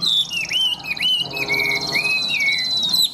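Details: Caged Chinese hwamei, tame and newly arrived, sold as a bird that sings nonstop with a very loud, ringing voice; a run of rich whistled notes swooping down then up, linked into a flowing phrase over a thin high trill.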